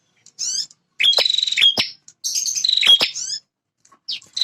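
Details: Male bar-winged prinia, a territorial fighter, singing very actively: short buzzy rattles with sharp clicks come in three bursts of under a second each, separated by brief silences, with a fourth starting at the end.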